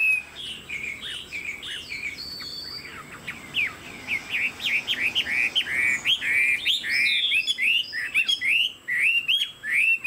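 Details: A caged Chinese hwamei's song starts with mixed whistles and a high thin note, then speeds into strong repeated rising-falling whistled notes, more than one a second, rich and emphatic.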